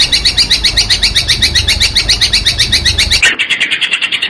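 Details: Long-tailed shrike masteran training recording for young prospect birds, gabusan lampir version: rapid high chirping notes repeated about two or three times a second, over a low rumbling background that cuts off abruptly near the end.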